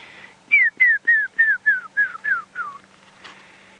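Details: Brown-crowned tchagra at sunrise on a safari drive, 11 May 2017, with the full moon setting and grey clouds: a run of eight clear whistled notes, each sliding downward, about three per second, over a low steady engine hum.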